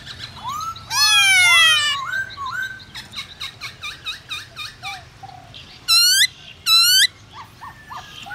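A black-throated laughingthrush sings a loud, varied song of clear rising whistles, quick slurred runs and bursts of harsh, rich notes, with no other sounds behind it.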